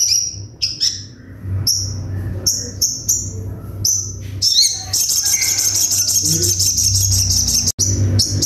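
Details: Sunbird song in the sharp rapid 'tembakan' style: several thin high whistled notes, some slurred, then a long dense run of fast, buzzy repeated notes over a steady low hum.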